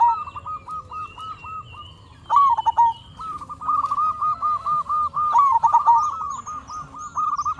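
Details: Zebra dove, local and singing actively, used to lure other zebra doves into replying: nearly unbroken bubbling trills of short repeated notes, with two louder rising and falling coos standing out, plus faint high chirps.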